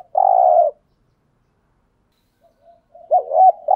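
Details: Spotted dove decoy bird cooing to lure wild doves: a loud, mid-pitched two-part coo phrase with a long, even final note, a pause of over two seconds, then the next phrase beginning.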